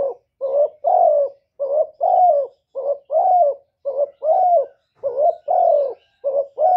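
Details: Long steady sequence of spotted dove coos, each phrase a short wavering note leading into a fuller drawn-out coo, repeated rhythmically about once a second with no other sounds.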